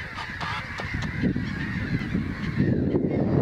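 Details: Gulls at a colony during breeding season in Syktyvkar, Russia, giving harsh, nasal, overlapping calls in quick bursts, several birds at once, over a strong low rumble of wind or background noise.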